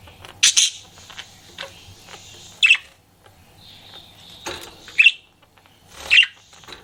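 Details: Pet budgerigar flirting, giving short bright chirps and squawky notes in scattered bursts about every second or two, with faint warbling between them and a low steady hum underneath.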